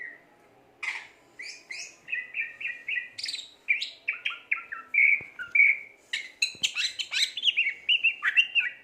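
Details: Greater green leafbird in energetic song: a varied string of sweet whistles, chips and slurred notes delivered several per second, with sharper high accents and mimic-like phrases toward the end.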